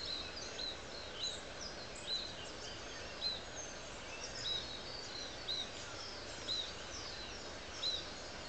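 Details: A pair of double-barred finches building a nest in an orchard at Tondoon Botanic Gardens, Gladstone, Queensland, give thin, high, arched calls about once or twice a second over a steady background hiss.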